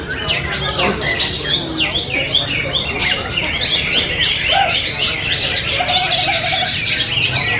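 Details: Contest-winning greater green leafbird, bought at the market in Kepanjen only two months earlier, delivering rapid, varied chirps and short whistled notes in a dense, energetic stream, with a low steady hum underneath.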